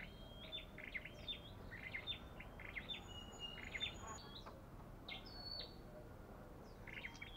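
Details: Aggressive olive-backed tailorbird calling in dense runs of short, sharp whistled notes and quick slurred chips, several in close succession, then sparser notes toward the end, over low ambient noise.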